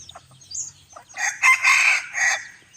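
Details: Bantam rooster crowing, heard from a distance on a hot evening; the crow is described as jerky. A loud, rough, broad crow in three surging segments lasts just over a second, with faint chirps before it.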